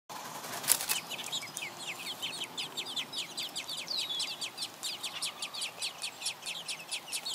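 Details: Hungry baby robins in a nest being fed by both parents, giving rapid, high, scratchy begging cheeps in a steady stream of short strokes, with a brief thump near the start.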